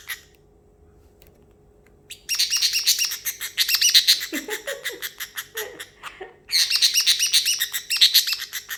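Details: Pet parrotlet indoors, excited after treats and almonds, imitating water sounds: after two seconds of quiet, dense bursts of high, crackling, splashy chirps pour out rapidly, pause briefly, then resume loudly with a few lower squeaky notes in between.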